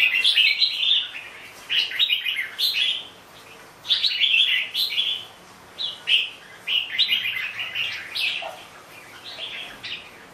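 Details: Bubbly warbling from a red-whiskered bulbul, grouped into short lively phrases repeated every one to two seconds, with a longer pause midway and little other sound.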